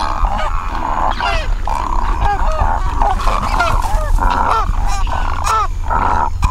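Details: Great Egrets (Ardea alba) in a noisy, continuous clamour of harsh, overlapping croaks and squawks from many birds at once, over a low background rumble, a reference recording rather than a local one.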